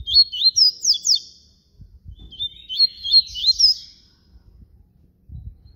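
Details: Flute-style song of a papa-capim baiano, or yellow-bellied seedeater: two bursts of high, fast, slurred whistles, each with a few rising and falling sweeps, separated by a short gap over soft low background noise.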